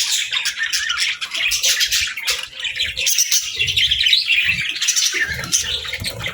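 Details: Pet parakeets and lovebirds in the morning, chirping and greeting the day: a dense, unbroken wash of high squawks and chirps with scattered soft low bumps underneath.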